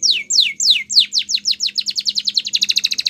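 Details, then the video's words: Canary singing a training song: loud downward-swept whistles that speed up steadily until they merge into a rapid, even trill of short chirps, with a low steady hum beneath. "Canary's Training Song"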